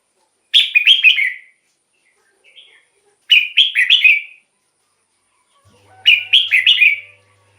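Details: Red-whiskered bulbul song played as a decoy to lure wild birds or to excite caged birds: three bright, bubbling whistled phrases, each about a second long and roughly three seconds apart, with one faint short note between them and a low hum at the end.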